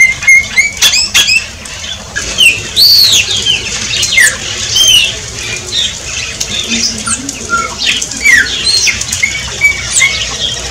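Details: Shiny cowbird, or chupim, a Brazilian bird: scattered bubbling notes and sharp slurred whistles, some rising, some falling. Clicks and flutters mix in over a constant low background hum.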